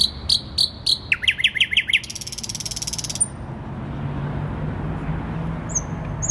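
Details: Common nightingale singing in central Warsaw, Poland, on 12 May 2020: high clicking notes, then a run of six quick falling whistled sweeps, then a dense buzzy rattle lasting about a second, with a steady low city hum beneath.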